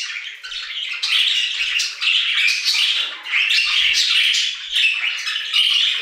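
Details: Group of budgerigars in an aviary singing nonstop, scratchy warbled chatter mixed with chirps and grating squawks, steady and loud throughout, with a faint low knock near the middle.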